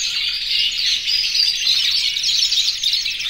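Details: Over a hundred aviary canaries, yellow, red and white, sing in breeding condition while calling the hen: an unbroken, high, bright wall of overlapping trills and quick chirps from many birds at once.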